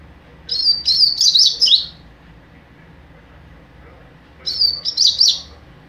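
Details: Young double-collared seedeater in mateiro song: a rapid series of high, chattering whistled notes lasting about a second and a half, then a pause and a second similar burst.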